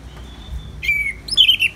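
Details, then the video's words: Orange-headed thrush in ngeplong style with rain background: a faint level whistle, then a loud falling slurred note, and a closing warbled flourish of bright high notes. "Terapi ANIS MERAH Ngeplong dan Suara Hujan ALAMI"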